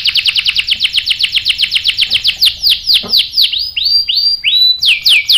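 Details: Lure song of a canary meant to rouse other birds to reply with rolling song: rapid chirped trill notes give way to slower, separate downward-sweeping whistles and a few high, clear tones.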